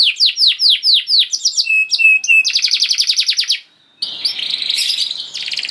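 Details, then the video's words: Canary song used as a prompt for canaries to sing: repeated falling whistled notes, a few short level whistles, a fast buzzy trill, a brief pause, then further rapid rolling notes. "Seketika Kenari Kondisi Apapun Akan Langsung Respon Bunyi Gacor Panjang Tanpa Nunggu Lama"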